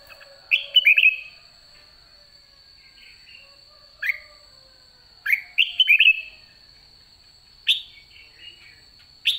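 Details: White-cheeked red-whiskered bulbul at the end of the season, singing short bursts of bright warbled, slurred notes, some in quick doubled phrases, spaced a few seconds apart, over a steady high electrical whine.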